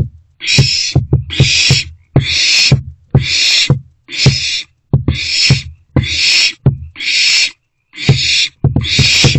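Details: Nest box with three owlets, 13 April 2024, morning: steady series of loud, rasping hisses, each about half a second, repeated about once a second, with thumps and scratching underneath.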